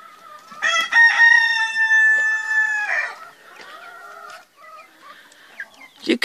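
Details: Rooster kept apart from the hens, crowing as it does every day to go visit them: one long harmonic crow of about two and a half seconds, ending in a falling tail, with faint clucking afterwards.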